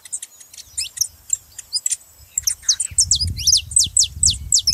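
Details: Saffron finch song meant to fire up a quiet canary: quick high chirps and sharp downslurred notes, growing denser toward the end, with a low rumbling background noise in the second half.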